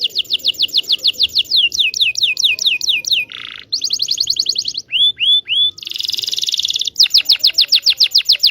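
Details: Local Indonesian canary song aimed at prompting silent canaries and young learners: rapid high ticking trills, rattling buzzes, three rising whistles and a harsh buzzy burst, all high-pitched and quickly changing.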